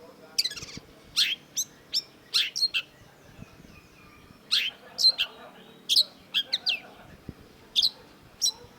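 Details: A Long-tailed Shrike (cendet) sings in a long training recording: a run of harsh, scratchy chattering bursts mixed with sharp high notes, in uneven phrases about every half second to a second, with quiet gaps.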